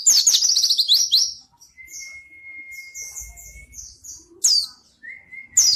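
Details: Energetic pleci white-eye song meant to lure and tutor reluctant singers. Fast, shrill descending trills open the clip, followed by a long level whistle and scattered high chirps, then sharp twittering bursts near the end.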